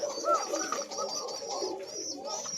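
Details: Thin-voiced Koka pigeons, breeding pairs, some with young chicks, coo continuously and overlapping with thin, reedy upper tones, several calling at once in an enclosed loft.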